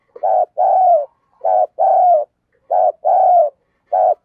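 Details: Cooing of a decoy spotted dove luring wild doves: repeated two-part phrases, a clipped note then a longer hollow descending coo, about four pairs over a quiet background.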